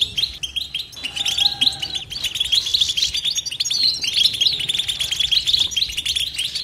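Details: European goldfinch in nonstop batbata-style song: dense, rapid twittering and tinkling chatter, with high buzzy trills and short notes running almost without pause. A short steady tone sounds underneath at one point.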